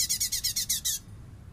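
Light-vented bulbul giving a rapid run of about seven harsh, chattering notes in one second, then stopping; faint low background hum.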